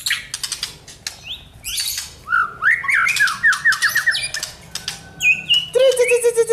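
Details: White-rumped shama in training for a champion mentality, singing a varied, fast song: rapid chattering notes, a run of short, repeated, upswept whistles, then dense buzzy trills and a lower sliding whistle.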